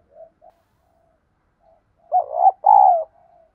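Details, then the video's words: Spotted dove lure bird with a field-style voice, kept to train new birds to coo: a few faint soft notes, then a rising stuttered note run straight into a long, loud, mellow coo that tails off quietly. "tiếng Cu gáy mồi giọng ĐỒNG hạp bổi kích mồi luyện bổi mới gáy theo hiệu quả"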